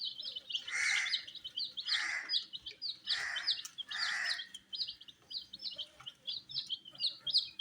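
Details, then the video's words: Many colourful chicks pecking at wheat, giving rapid high descending peeps in a continuous stream, overlaid by four louder, rougher calls spaced about a second apart. "Colors MURGI baby Chicks are eating "wheat Challenge" with "Chicks Chirping" Sounds"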